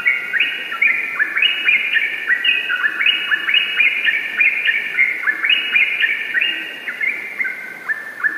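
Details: Vigorous gacor ropel song of a yellow-vented bulbul, a dense cascade of rising bubbly whistles in tight overlapping runs, nearly unbroken for the full length.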